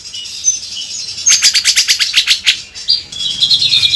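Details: Grey-cheeked bulbul in a gacor 'beset kasar' song, used as a tutor recording for songbirds: thin high whistles, then a rapid rattling burst of harsh, buzzy notes repeated about ten times, ending in a sustained high trill.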